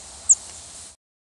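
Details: A Northern Parula flight call: a single very high, thin, sharply descending whistled note lasting a split second, over faint background hiss.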